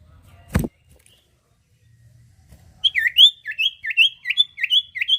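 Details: Sirtu bird, a lively singer used as a lure to draw other birds. After a thump and near silence comes a run of about nine sharp, high whistled notes that dip then rise, repeated quickly and evenly.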